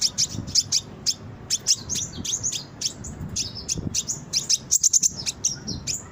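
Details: Brown-throated sunbird singing, kept as a lure to make caged birds respond. Lively, high, twittering chirps come in irregular clusters, growing denser near the end, with a low background rumble.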